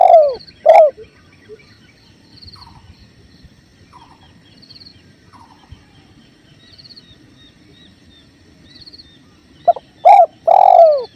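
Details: Spotted dove by a clear river: loud coos open and close the passage, separated by a long quiet stretch where faint high chirping birds call over flowing water.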